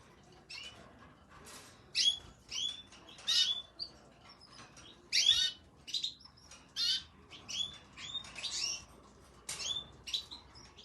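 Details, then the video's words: Red and yellow domestic canaries giving sharp high chirps and short whistled notes in bursts every second or so, separated by quiet pauses, with faint background noise. "canários vermelhos e canários amarelo."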